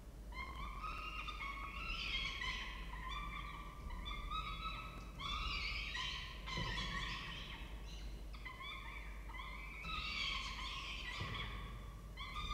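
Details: Peregrine falcons at a nest in Orange, Australia, filmed by a nest camera as the male delivers food to two young: loud, harmonic, wailing calls in repeated series, with a steady low background hum.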